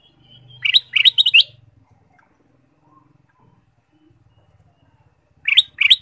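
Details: Ruby-throated bulbul song used as a lure for caged birds: brisk phrases of three or four high upslurred notes, repeated after a pause, with a faint low hum beneath.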